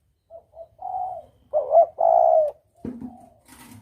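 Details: Spotted dove lure call, clear double 'kuk' style: soft lead-in coos, a quick doubled note and a long steady coo, then a lower, rougher sound and faint hiss.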